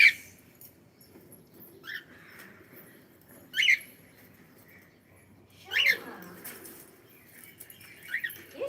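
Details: Cockatiel making scattered sharp, rising chirps and squawky notes separated by pauses, with soft human voices and faint room sounds between calls.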